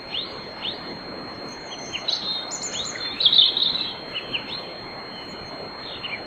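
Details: European robin singing in the small hours before dawn, nocturnal song in a riverside grove at Bóveda, Lugo, Spain: thin, high, varied phrases of short sweeping and trilled notes spaced by pauses, over a steady faint background hiss.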